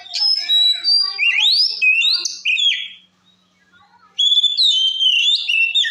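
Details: Kacer, or white-rumped shama, in full loud song meant to stir rival shamas: fluid whistles sweeping upward, rapid mixed notes, a brief silence, then another burst of varied whistling.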